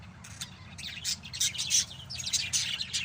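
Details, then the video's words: Several pet lovebirds chirp rapidly, giving harsh, high, buzzy notes in quick irregular bursts, about three per second. "MGA ALAGA NAMING LOVE BIRDS."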